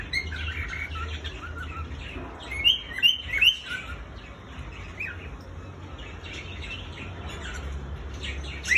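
A male cockatiel sings a run of bright rising whistles among soft chattering notes.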